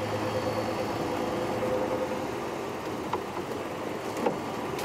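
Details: Idling vehicle engine drone with a few soft knocks, no animal sounds.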